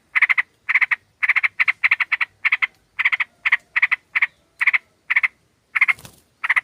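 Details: Sooty-headed bulbuls, a female calling to a male, used as a lure: harsh, buzzy chattering bursts in quick clusters of two to four notes, repeated steadily about every half second, with a brief rustling noise near the end.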